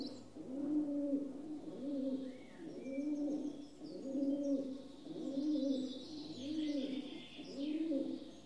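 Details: Rock dove cooing in a steady rhythm: seven low, throaty, rounded coos, about one every 1.2 seconds, with high chirps and short trills from other birds and a low constant hum behind.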